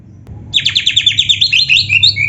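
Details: Oriental magpie-robin in vigorous 'gacor' song with canary 'isian' phrases: after half a second of quiet, a quick series of about twelve bright descending chirps runs into higher sustained whistled notes.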